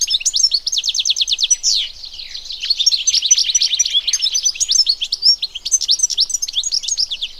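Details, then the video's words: Singing European goldfinch from nature: an opening rattle of quick repeated chirps and a buzzy note lead into a long, unbroken stream of bright, jangling twitters and trills. "صوت الحسون حسون ذهبي عروس التركمان طقطق شوك الحسون صافي من الطبيعة European goldfinch sound"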